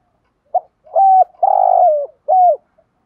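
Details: Spotted dove, a decoy bird, cooing in the morning to call the flock: one clean phrase of a short note, then three mellow coos, the middle one long and rough and sliding down, in quiet surroundings.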